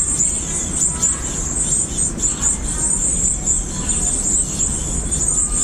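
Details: Varied tit chicks of a second brood being fed keep up a steady, high-pitched hissing chorus that pulses as food arrives; faint tones beneath, possibly soft background music.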